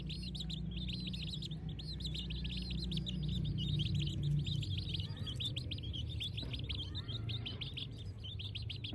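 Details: Morning chorus of village chicks: continuous overlapping high looping peeps, dense and rhythmic, over a steady low hum and background rumble.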